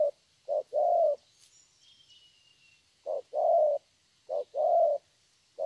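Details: Spotted dove, young and wild-caught, Vietnam, 'thổ' song: two bursts of short-long coo pairs separated by a two-second pause, a faint thin whistle from another bird in the gap.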